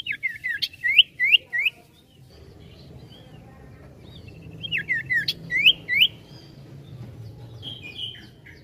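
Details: Sirtu (ashy tailorbird) in busy ngetril ngetrol song: two phrases of loud, bright, curling whistles, four or five notes each, separated by a couple of seconds of quiet background hum.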